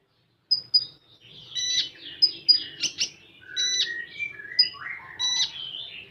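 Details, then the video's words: Common iora with full 'tembakan' song: high pips, buzzy chattering bursts and lower slurred whistles tumbling in varied phrases, with sharp high notes repeated between them over six seconds. "Burung Konin Full Tembakan"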